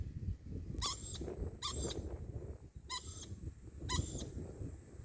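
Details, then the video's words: A lorikeet repeats an odd squeaky call, four brief harsh, buzzy notes about a second apart, set against steady low rumble and muffled background noise. "Lorikeet making this noise , idk why?"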